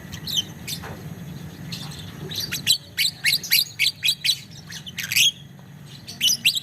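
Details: Young lovebird singing the long chattering style known as ngekek panjang, used as a master song: rapid, shrill, high chirps in a steady run of about six per second after a few scattered squeaks.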